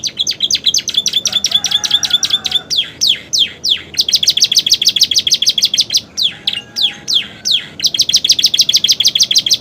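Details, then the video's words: Canary song filled with imitations of bar-winged prinia and sooty-headed tit: rapid high trills alternate with loud downward-swept whistles, the sweeps spaced about half a second apart, then another fast chattering trill. "kenari romeo gacor isian prenjak ciblek"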